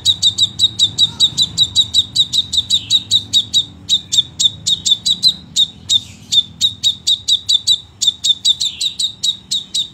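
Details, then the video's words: Crimson sunbird in vigorous song, a rapid-fire 'tembakan rapet' style: sharp, high, ticking chirps repeated about four per second, with two brief breaks partway through. "sepah raja gacor tembakan rapet"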